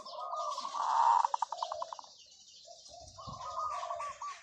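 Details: Long call of a decoy zebra dove: a rolling coo swells into a loud note, then stutters into about eight quick fading pulses before a further run of rippling coos; light background hiss.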